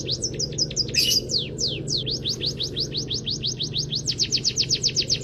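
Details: Canary-filled training song from an emprit kaji munia: chirpy high notes interrupted by a harsh burst, then a long even sequence of falling whistles that tightens into a fast trill near the end, background hum constant.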